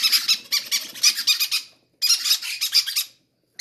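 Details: Greedy baby parrots clamouring to be fed first: a dense string of rapid, raspy, pulsing squeaks in two long bouts separated by a brief pause.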